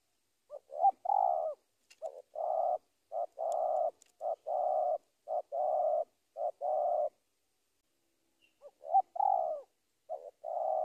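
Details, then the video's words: Spotted dove calling a rival, used to lure tekukur in Indonesia: low hollow cooing in short phrases, two quick notes followed by a longer drawn coo, repeated steadily, with a few seconds' pause before the series resumes. "Suara Panggilan Tekukur memanggil Lawan"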